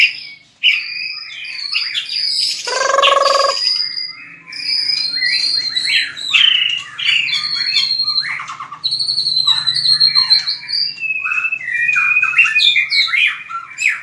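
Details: Voice training of a white-rumped shama for fighting song: an early harsh, buzzy, grating burst, then long sequences of varied whistles, chirps and scratchy warbles.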